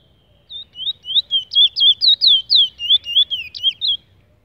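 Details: Trinidad bullfinch, a brown bird, singing a rapid run of clear slurred whistles, each note sweeping down or up, about four per second for roughly three and a half seconds, over a quiet low background hum.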